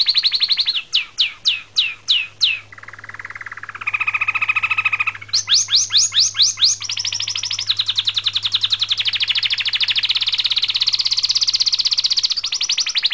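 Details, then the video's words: Canary song varying in tour: separate high down-slurred whistles, a steady low buzzy tone, more slurred notes, then long fast buzzing trills, one rising in pitch, in a small room with a faint low hum. "Song by Canary"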